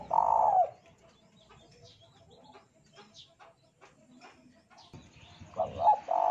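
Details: A spotted dove (tekukur) whose cooing is used as a lure to bring young birds into song. It gives soft, hollow cooing phrases at the start and again at the end, with faint chirps from small birds in between.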